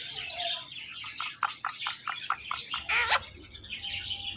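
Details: Pet Indian ringneck parakeets, a male and female pair, making morning sounds. Rapid bursts of short chirps and squawky notes come one after another. A harsher, sustained screech rises near the three-second mark, and a thin, steady whistle closes the sequence.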